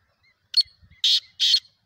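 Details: Kala teetar, the black francolin, gives three loud rasping notes, a short one then two longer grating blasts, each under a quarter second, with faint thin whistles between them.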